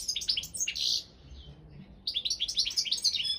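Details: Competing balcanica goldfinch in an internet world championship organised by a Serbian breeders' association. Lively twittering phrases of chirps and buzzy notes, broken by a roughly one-second pause before resuming.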